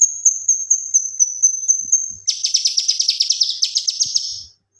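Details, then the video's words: A male leafbird in the energetic 'gacor tembakan' style used for training other songbirds. A steady string of high whistled notes leads into a dense, buzzy, rapidly pulsing trill that slowly drops in pitch, then stops. "BURUNG KINOI/CUCAK KINOI JANTAN GACOR TEMBAKAN COCOK BUAT MASTERAN BURUNG"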